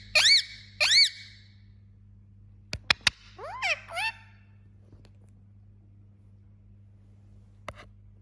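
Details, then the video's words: Indian ringneck parakeet indoors giving two arched squawks, then a few sharp clicks and a descending squeaky phrase, followed by quiet with a low background hum. "Funny Parrot Talking And Making Sound"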